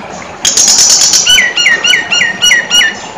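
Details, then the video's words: Nias hill myna in busy 'gacor full isian' song: opens with a harsh, high buzzy burst, then a string of loud whistled notes, each dropping in pitch, repeated roughly every quarter second with brief gaps. "Jalak nias gacor jalak nias gacor full isian"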